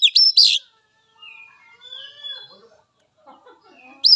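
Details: Wild Oriental magpie-robin, a therapy recording for untrained, juvenile spotted or silent captive birds. Loud whistled notes open and close the clip, with faint soft warbling and thin whistles in the quiet stretch between.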